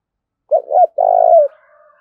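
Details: Spotted dove coo in the 'thổ đồng' voice style: two short rounded notes, then a long, mid-pitched, buzzy coo that drops at its close, followed by a faint trailing echo.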